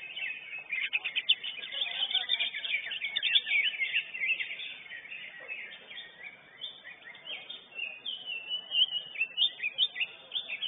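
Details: Contest-winning lesser green leafbird producing a long, varied medley of high scratchy trills, chips and whistled slurs, dense at the start, then louder sharp notes near the end.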